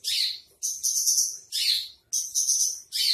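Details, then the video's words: Javan bush lark in trotol song, alternating harsh buzzy bursts with steady, thin whistled tones, each unit about half a second long. "masteran branjangan trotol"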